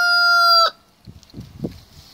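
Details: Red junglefowl (Gallus gallus) in Garden Viskyar, the only survivor of its brood, gives a loud, steady, ringing crow that breaks off abruptly after under a second, followed by faint low rustling and thumps.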